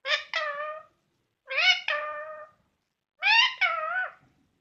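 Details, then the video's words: A pet parrot just before sleeping, a sound it makes nightly and sometimes during sleep, gives three drawn-out, two-part nasal calls with a meow-like rise and fall, about 1.5 seconds apart, against a quiet background. "Parrot Making Different Sounds Before Sleeping"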